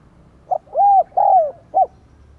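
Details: Decoy spotted dove calling to draw in wild doves: one clear phrase, a brief soft note, two long mellow coos sliding slightly downward, then a short closing hoot, in a quiet setting.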